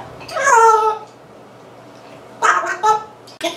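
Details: African grey parrot indoors making funny sounds and talking: a drawn-out, speech-like phrase with rich harmonics, a pause, then two quick voiced syllables and a short final burst, in a quiet small room.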